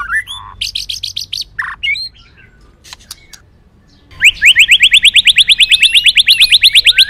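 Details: White-rumped shama song used for bird training, with the female said to sing to excite males: a few brisk whistled phrases, a quiet gap, then a loud, fast, even trill of rising notes lasting three seconds.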